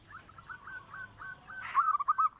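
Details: Local zebra dove, recording used as a lure to make other birds sing; faint run of short cooing notes, then a louder rolling trill of soft, slightly rising coos near the end, over a low background hum.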